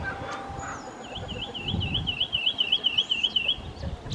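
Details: Lemon-chested greenlet in Atlantic Forest giving a rapid rolling trill of wavering whistled notes, growing louder over about two and a half seconds, with a faint thin whistle from another bird.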